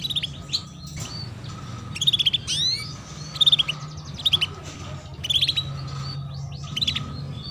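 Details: Female canary chirping to spur young canaries to sing: groups of quick high chirps and rising swept notes every second or so, against a steady low hum.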